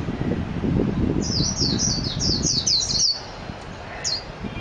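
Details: Japanese white-eye (mejiro) delivering one quick phrase of high, thin, rapidly repeated twittering notes lasting under two seconds, then a single short chirp, against low background noise.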